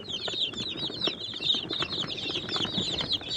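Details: Brooder of young chicks of Bielefelder, Swedish Flower Hen and Catskill Homesteader breeds, contentedly eating and drinking; a steady stream of shrill, rapid peeps from several birds at once, accompanied by faint pecking clicks.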